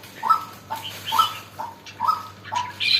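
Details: Red-whiskered bulbul starting to get lively, sounding brief clear whistled chirps about once a second, each note rising slightly, with a sharper high squeak at the end.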